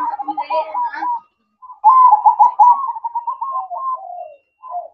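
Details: A zebra dove sings at night (manggung), delivering a long run of rapid, stuttering trilled coos that slide slightly lower toward the end, after a shorter opening phrase.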